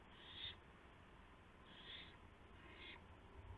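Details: Owl at 2:51 AM on April 2, 2016, bringing a gopher to its mate: three short, hissing screeches about a second apart over a steady low background hiss.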